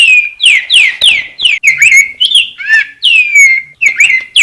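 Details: Rose-breasted grosbeak delivering a rapid, unbroken warble of repeated downslurred whistles and rich rolling notes, ending in a long falling whistle.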